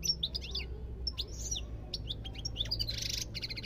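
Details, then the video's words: European goldfinch singing a rapid, tinkling twitter of short high chirps and liquid trills, broken by a harsh buzzy burst near the end, over a steady low hum. "تغريد طائر الحسون"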